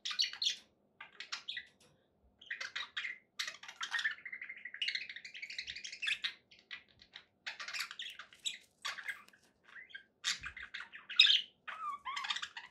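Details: Quiet, happy budgerigar chatter with scattered chirps, a sustained buzzy warble in the middle, and clusters of squeaky twitters separated by short pauses.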